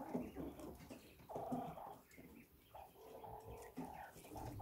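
A quail makes soft, low, rolling purring notes, much like a contented kitten.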